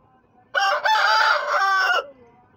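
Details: Rooster giving one full crow: a loud, harsh, rich-toned cock-a-doodle-doo lasting about one and a half seconds, with a brief break after the first syllable and a long sustained ending, in a quiet setting.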